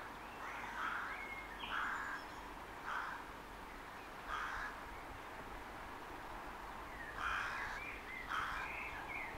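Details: Rook calling from a rookery in trees at Harlech Castle, giving harsh, hoarse caws in short bursts, single or paired, spaced irregularly about every one to three seconds over a steady outdoor background hiss.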